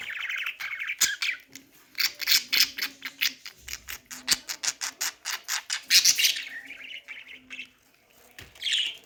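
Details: Pet budgerigar attempting speech: a fast series of sharp, evenly spaced clicking chirps, then warbled squawky phrases and a short pause before a final burst.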